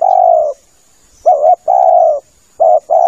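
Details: Lure call of a spotted dove for bird hunting: steady low coos, a long drawn hoot, then a short wavering double note and another long coo, clear and loud with no other sounds.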